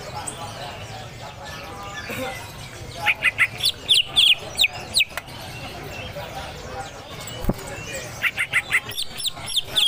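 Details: Greater green leafbird in harsh song, a training recording with a trickling-water background: bursts of sharp, scratchy, high chirps in rapid clusters, set against a constant rushing background.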